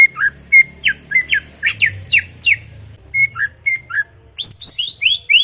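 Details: Greater green leafbird (cucak ijo) chattering in a garden: short flat whistles alternating with falling slurs, then a pause and a run of high rising whistled notes; faint low rumble underneath.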